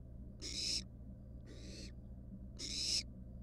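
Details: Barn owl nestling, wild, resting at the nest with a mouse underfoot: three short noisy hissing snores about a second apart, the middle one softer, over a steady low-pitched hum.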